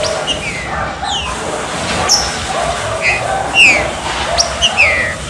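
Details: A green-winged saltator gives its rain (chuva) warm-up song, short clear whistles and quick falling slurs every half second or so, over a steady rain-like hiss, used to stimulate other saltators to sing.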